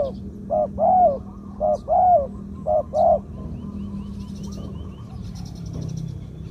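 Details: Medium-voiced spotted dove, a decoy-quality bird, delivering three quick pairs of coos, a short note then a fuller arched one, in the 'two kuk, khu-ang' style, then quiet with faint distant chirps and a low hum.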